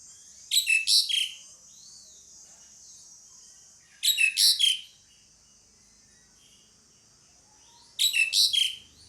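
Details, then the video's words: Pied myna, female calling a male; high, clear bursts of four or five quick sliding notes, repeated about every four seconds, over a constant high hiss. "SUARA PANGGILAN JALAK SUREN"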